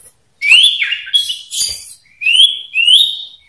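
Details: Loud male common iora, caged, dueling in 'ngetir meriwit nyipow' variations used to spur other ioras into song. Bright upslurred whistles repeat about every half second, with a buzzy burst between them.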